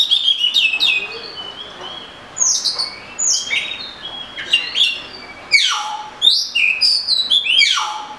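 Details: Oriental magpie-robin in varied song, slurred whistles and steep downward-sweeping notes in quick phrases, some dropping low, with brief pauses between bursts.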